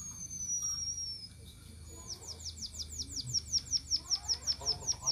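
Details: Emprit, a munia, gives a thin, high whistle that slowly falls. After a pause come steady, short, high descending chirps that grow louder, about two or three each second.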